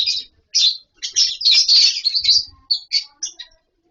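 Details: Captive lovebird colony with wooden nest boxes and mud bowls: shrill, high chirps and squeaky chatter come in quick overlapping bursts, then break into shorter separate notes toward the end.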